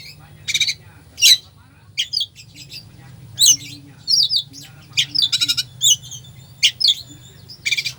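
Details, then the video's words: Oriental magpie-robin singing a dense 'isian' fill meant to provoke a slow bird: a busy run of harsh, grating squawks, brisk whistled notes and fast twittering phrases, closely packed, with a soft low drone behind. "Kacer full isian , cocok buat pancingan emosi Kacer lemot"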